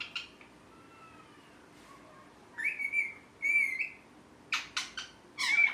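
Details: Pet rose-ringed parakeet mixes faint wavering whistles with bursts of clear, slurred whistled notes, then a cluster of harsh chirps and a final rising whistle.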